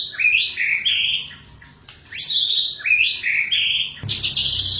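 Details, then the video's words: White-rumped shama in rapid continuous song: rising whistled slurs followed by trilled phrases, repeated twice with a short pause between, then a burst of harsh buzzy notes at the end. "MURAI BATU NEMBAK RAPAT GROJOK"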